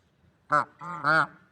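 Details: Two nasal swan honks in nature, a short clipped note followed by a longer drawn-out one.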